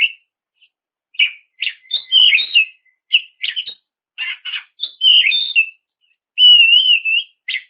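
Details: Oriental magpie-robin singing steadily to provoke rivals: scratchy chirps and short whistles in quick succession, ending with a long clear wavering whistle and a final chirp.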